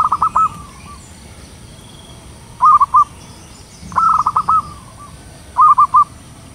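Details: Local zebra dove (perkutut lokal) with a big voice, singing in the ngayer style, used to lure wild birds: stuttering bursts of short, mid-pitched coos in quick series, repeated every second or two, with a faint low rumble beneath.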